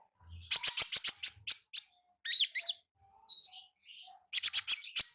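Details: Wild olive-backed sunbird singing its ngalas style of song in nature: a fast burst of high, sharp chips, then a few rising, slurred notes and a thin whistle, ending in another quick run of chips.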